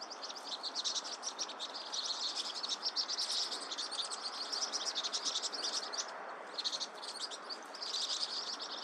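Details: Vinous-throated parrotbill, called baepsae in Korean: a dense run of high, thin chattering chips that overlap almost without pause across the clip, over a steady hiss of background noise.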